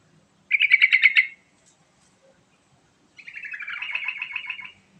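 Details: Lure recording of a sooty-headed bulbul singing two phrases. The first is a short, fast bubbling run of rounded notes. After a pause of about two seconds comes a longer, softer warbling phrase that dips slightly. The background is quiet.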